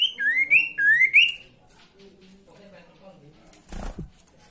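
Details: Sooty-headed bulbul singing to provoke rival birds: three quick looping whistled notes, each rising and falling, followed by near quiet and one short rustling bang.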